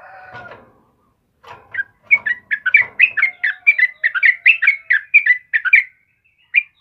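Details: Yellow-vented bulbul song for tutoring birds: a short noisy scuffle, then a quickening chain of bright, slurred chirps, about three a second, ending with one isolated note.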